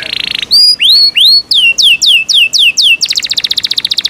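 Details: Pet Yorkshire canary singing loudly: a short buzz, rising then repeatedly falling clear whistles about four per second, closing with a rapid high staccato trill.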